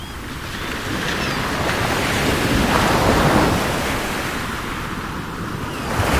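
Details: Steady roar of breaking sea waves and wind buffeting the microphone, swelling midway and again at the end, with no animal calls.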